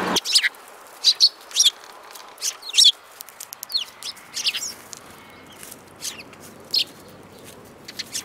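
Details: Sparrows in March 2018 give scattered sharp, high chirps, several in quick succession at first, then sparser single notes spaced a second or so apart, over quiet hiss.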